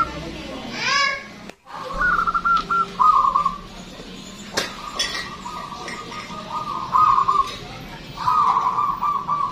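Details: Local zebra dove, a loud singer with a big, long voice, used as a lure for other birds: several long, trilled, cooing phrases held on one pitch, with short gaps between them and a faint falling sweep at the start, plus a few sharp clicks.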